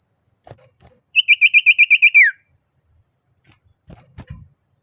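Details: Common iora provoked into calling against a rival: a rapid run of about nine clipped notes sliding down into a falling slur, then a few soft taps and knocks.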